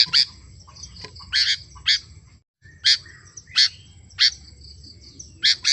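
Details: Sooty-headed bulbul, or kutilang, vocalizing in 'gacor' fashion: bright, clipped chirps spaced about half a second apart, with a brief drop-out near the middle and soft low hum throughout.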